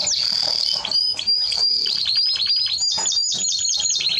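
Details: Timbrado Español canary song opening with a held high whistle, then a crisp series of quick repeated chirps, about three per second, ringing and metallic.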